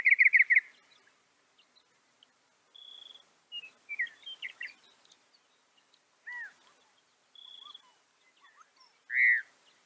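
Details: Northern mockingbird song: a burst of rapid buzzy notes, then a steady whistled tone, short chirps, downslurred notes and a loud slurred phrase near the end, with pauses between the varied phrases.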